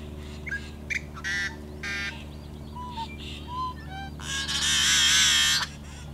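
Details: A yellow-headed blackbird sings in summer wetlands along the Great Salt Lake: a run of short clucks, hoarse notes and thin whistles, ending in a long harsh buzzing screech, over a low steady hum.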